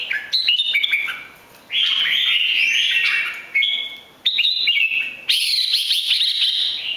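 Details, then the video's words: Singing red-whiskered bulbul from Bình Định, Vietnam, three seasons old, flicking its wings butterfly-style. Clear whistled phrases with rising slurs, separated by brief quiet gaps, ending in a dense warble. "Chim chào mào 3 mùa hót đỉnh chơi cánh bướm rất hay"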